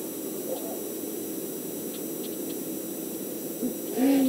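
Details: Male great horned owl on a nest cam in Montana, whistling near the end of mating around 6:40 pm on 8 March 2019; after a faint early note, a short clear whistle rises then holds level near the end, over constant electronic hiss.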